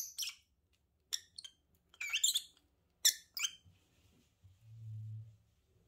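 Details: Lovebird couple gives a few scattered shrill chirps early on, then falls quiet while a low steady hum rises near the end.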